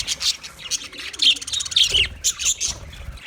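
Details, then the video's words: Budgerigars chirping: quick scratchy chirps and warbled notes about twice a second, with a few clearer whistled tones and soft low thumps. "sounds of budgies chirping"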